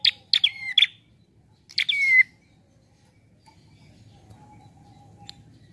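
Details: Prinia singing relaxed, used as a lure for trapping: two bursts of sharp chirps, each ending in a whistled note that drops in pitch, then quiet with a faint low hum and a thin steady tone.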